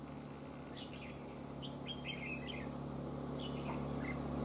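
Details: Red-whiskered bulbul singing during trapping, a fighting bird. Quick chirpy, warbled phrases in short clusters, a busy run in the middle and a softer one near the end, over a steady low hum and background hiss.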